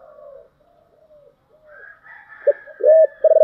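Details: Spotted dove singing in the thổ style: soft, low coos fading in and out, then a loud clipped coo cluster near the end, with a faint higher whistled tone alongside.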